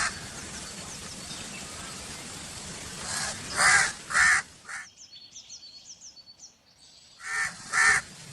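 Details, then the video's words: A crow gives three rough caws in quick succession. Then comes a pause filled with thin, high chirps from small birds, and then two more harsh caws. A low background hum is present. "Crow Calling Sound"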